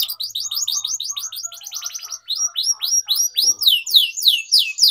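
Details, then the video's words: Canary song for training young birds, rapid repeated chirped notes in fast series, a brief break, then slower sweeping whistles. "Canary Singing Training || Kenari Gacor Panjang Cuit Cuit Emosi, Pancingan Kenari Paud Belajar Bunyi"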